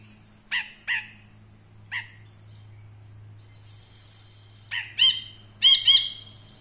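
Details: Captive ashy bulbul used as a tutor bird for songbirds: a few husky separate notes, a pause with a thin faint tone, then louder ringing paired notes with strong overtones, against a steady low electrical hum.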